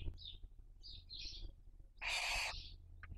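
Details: Barn owl raising young, 2023 breeding season, nest webcam in Cabañeros National Park, Spain; faint short chirpy notes, then one loud half-second rasping hiss and a last faint squeak.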